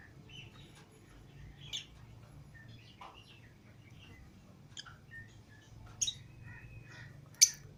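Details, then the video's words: Pet lovebirds, a green Fischer's pair and a lutino pair, let out of the cage with other lovebirds indoors, give scattered short high chirps and a few sharp squeaky notes, irregular and overlapping, over a faint low room hum. "Love Birds Singing And Chirping Sounds"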